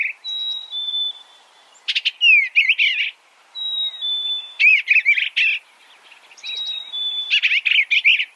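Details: Eastern bluebird phrases alternating a long, thin, level whistle with bursts of sharp chips and quick warbled notes, the pattern repeating three times.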